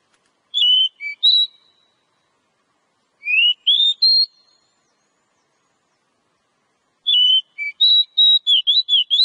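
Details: Oriental magpie-robin song played to encourage a kept bird to sing: three bursts of clear whistled notes, some sliding up or down, the last a rapid run of varied whistles, separated by silent gaps.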